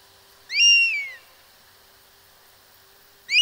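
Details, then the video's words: European Honey Buzzard call: one clear, mournful whistle that jumps up and then tapers down over half a second. A faint steady low hum runs underneath, and another call starts at the close. "Falco Pecchiaiolo - Pernis Apivorus"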